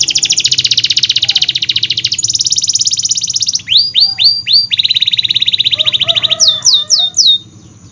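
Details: AF canary singing hard as a trigger for quiet and juvenile canaries: two long, loud, dense buzzy trills, a few swooping notes, another extended trill, then rising whistled sweeps and soft chatter, with low hum beneath.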